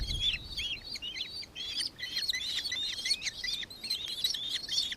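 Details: Jumbled, overlapping high squealing chatter from nankeen kestrels in Victoria, Australia, recorded 4 December 2024, notes running together rapidly.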